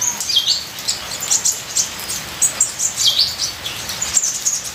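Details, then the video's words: High, rapid twittering from a ninja sunbird in full varied song, with sharp chirps and downward-curving slurred notes in quick clusters, over a background hiss of rain. "Terapi Suara Kolibri ninja full isian"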